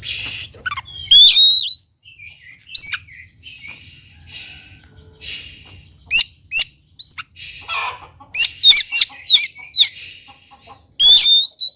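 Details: Oriental magpie-robin singing hard, used to goad a quiet bird into song. Varied loud whistles, sharp rising slurs and quick clicky notes come in dense clusters over a soft warbling background, with a brief low hum.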